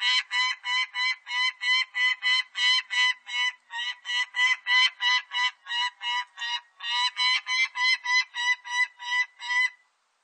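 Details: Peregrine falcon calling in a fast, rhythmic chain of grating, nasal notes, about three per second, with one brief hesitation midway, on a clean, quiet background.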